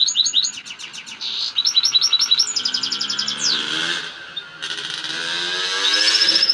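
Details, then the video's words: European goldfinch in excited, heated song: fast, dense twittering with high rapid trills, repeated sharp notes and buzzy rolling phrases, pouring out continuously without pauses. "Saka ötüşü kızgın ötüm"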